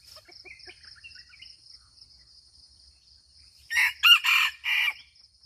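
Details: A red junglefowl in Aceh, Indonesia lets out one harsh crow of four clipped, rasping syllables near the end. Before it come scattered small chirping bird notes, with a constant shrill insect drone throughout.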